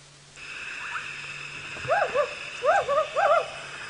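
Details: African wood owl played back as a recording during a sunrise safari drive broadcast from South African game reserves; soft, rising-falling hoots, a faint early pair then a rhythmic run of mellow, bouncing notes, over a steady electronic hum.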